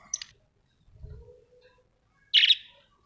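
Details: Budgerigars kept at home: a faint high chirp at the start, then one loud, harsh, buzzy chirp after a quiet gap with a soft low thump.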